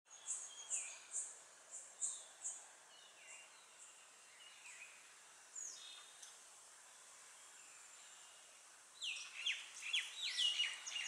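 Common tailorbird giving sharp, high, rapidly repeated notes, about two per second, then a busier burst of mixed chirps near the end.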